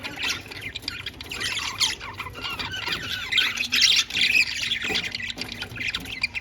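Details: Caged budgies at play produce a steady stream of rapid, squeaky chirps and warbling twitters, bursts crowding together over a few seconds with a faint low background hum.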